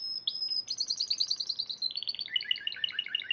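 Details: Champion Spanish Timbrado canary singing in a March 2014 competition: a sustained high whistle, then fast bubbling trilled notes stepping gradually downward in pitch.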